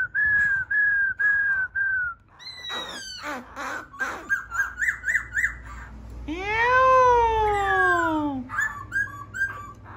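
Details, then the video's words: Four even, clear whistled notes start the laughingthrush's song, followed by choppy rapid notes, a long arched harmonic note, and short whistles. "khướu bổi hót"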